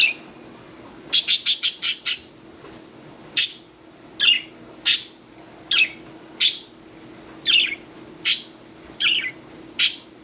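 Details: Pet budgerigar, parakeet, at bath time: a fast run of five sharp clicking chirps, then single short rasping chirps spaced about every second, in a quiet room.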